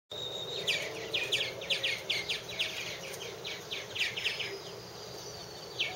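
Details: Purple martins at one of three nest houses, an unedited cam recording from 2014: a steady stream of short chirps and downslurred notes around the colony, several birds calling over a faint hum and a thin high whine.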